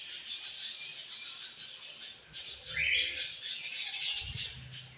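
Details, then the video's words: Colony of caged budgerigars, a dense high chattering of overlapping warbles and squeaky chirps from many birds, one clearer rising note midway, with low knocks and cage noises underneath. "Budgies Colony"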